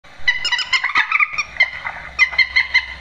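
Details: Grey-headed swamphen giving the screeching 'trích ré' call, a recording played at night to lure birds into nets; harsh nasal squawks with stacked harmonics, several bursts in quick succession.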